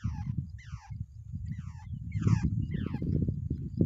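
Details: Wild babblers, both birds at the nest, utter a few coarse, nasal calls that drop sharply in pitch, spaced about half a second apart, against loud low rumbling background noise.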